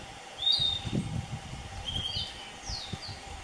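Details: A single Piratic Flycatcher calling at Puerto Paraíso, Misiones, in September 2015, giving high, thin whistled notes, a few rising slurs spaced about a second apart, over low rumbling background noise.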